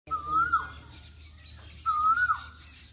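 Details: Asian koel singing in Pakistan: two clear whistled notes, each a long slightly rising tone ending in a quick downward slur, spaced about one and a half seconds apart, with faint rural background noise.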